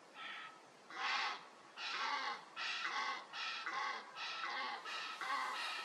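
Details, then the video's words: Egyptian goose captured by a wildlife camera calling in a long series of harsh, buzzy honks, roughly one per second, rising in intensity and run close together, with steady background hiss. "Nilgänse und ihre Rufe"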